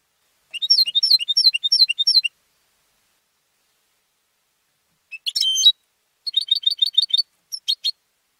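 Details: Home-raised European goldfinch, a competition singer kept by its owner, singing: a burst of rapid repeated high metallic notes, a long silence, then a buzzy note and further quick bursts of repeated twittering phrases.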